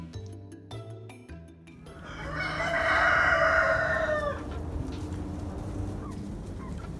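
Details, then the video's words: Rooster crowing at a fairground farm at Halloween while chickens are fed fresh pumpkin; one long harmonic crow rises, holds and falls over about two seconds, preceded by music notes and followed by low background noise. "REAL CHICKEN SOUNDS | GALLINA POTTITO GALLO | CROWING & CLUCKING"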